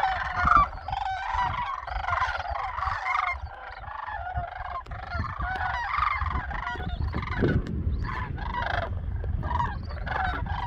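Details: Flock of Sandhill cranes flying over a farm in late December, giving a dense chorus of overlapping rolling, trumpeting calls throughout, with low rumbling wind or handling noise underneath.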